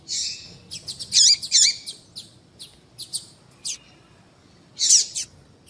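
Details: Female papa-capim seedeater calls meant to make males sing: quick high chirps and clicks, a few louder notes with a sliding lower tone, scattered irregularly with short gaps.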